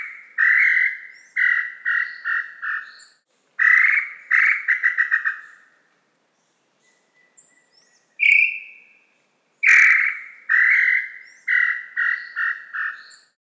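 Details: Repeated Tataupa Tinamou phrases. Each opens with a drawn-out note and speeds into a rapid, slightly descending series of short notes. Several phrases are spaced by brief pauses, with one isolated rising note in the middle.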